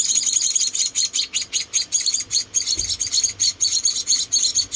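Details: Rescued munia chicks, four of them, being fed and giving a dense run of high, thin chirps that blur together, then separate into quick pulses.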